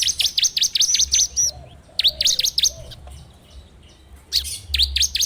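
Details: Bar-winged prinia, used as a training lure and recorded on an Android phone: rapid series of sharp V-shaped high chirps, a quieter pause, then more runs, with a low hum beneath.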